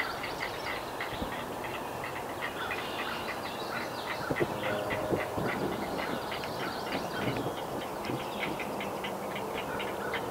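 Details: Great Blue Heron nestlings at a nest in north-central Massachusetts, USA, calling to parents that fly back with fish catches; rapid dry clacking chatter, about three pulses a second, continuous through the recording over a steady background hum.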